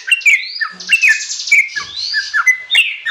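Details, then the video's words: Sooty-headed bulbul, a young bird, in varied full song for training other songbirds: bright slurred whistles, rising and falling sweeps and scratchy chirps tumbling together in an irregular, busy phrase. "MASTERAN TRUCUKAN ANAKAN||FULL ISIAN ||TERAPI BURUNG TRUCUK"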